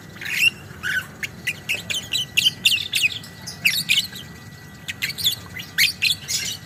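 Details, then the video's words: Long 'ngekek' chattering of a lovebird: a continuous series of sharp, high, scratchy chips repeated several times a second throughout, with a faint steady tone in the background. "kicau burung lovebird biola ngekek panjang"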